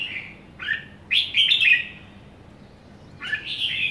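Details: Young caged red-whiskered bulbul, a somersaulting bird, singing short bright warbled phrases: a brief note, a rising slurred phrase near 0.6 s, a louder rich chattering burst from 1.1 to 1.8 s, then quiet before another warbled phrase at 3.2 s.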